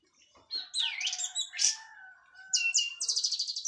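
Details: Orange-headed thrush, Cililin local bird after its moult, singing 'plong' and 'teler': a dipping slurred whistle, a sharp high note, a long low whistle, then a rapid run of repeated bright buzzy notes.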